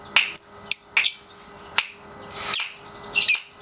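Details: Pasjo lovebird aged 3.5 months, kept in a cage, during daily ngekek practice; clipped, piercing single chirps spaced irregularly, ending in a louder raspy burst.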